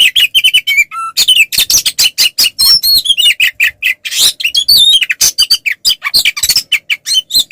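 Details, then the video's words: Fighting-style 'ngeplong' song of an oriental magpie-robin, played to rile rival males into responding. Rapid, densely packed chirps and metallic notes mix with twisting whistles, plus a single lower pure whistle early on. "SUARA BURUNG kacer gacor NGEPLONG TARUNG ini paling AMPUH buat PANCINGAN KACER agar EMOSI NYAUT"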